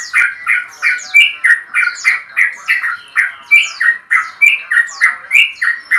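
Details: A male Yellow-vented Bulbul provokes a rival with a steady stream of harsh chattering notes, roughly three per second, each squawk bright and slightly falling, with no break.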